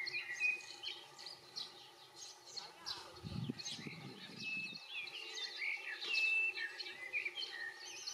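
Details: European goldfinch giving a steady stream of bright twittering chirps mixed with thin, clear tonal notes throughout, with a short low rumbling sound near the middle.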